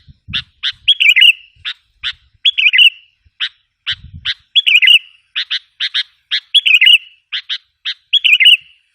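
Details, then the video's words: Lure call of a sooty-headed bulbul aimed at wild bulbuls: clipped chirps alternating with short rolling warbled phrases at a steady pace, occasional low knocks early on. "suara pikat kutilang ampuh 100%bikin kutilang liar emosi"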